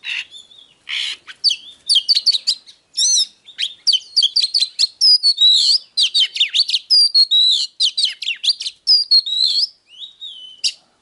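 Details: Oriental magpie-robin song, used to stimulate other magpie-robins: a dense, rapid run of clear whistled notes with many short sweeping and rising phrases, interspersed with sharp chips, nearly continuous throughout.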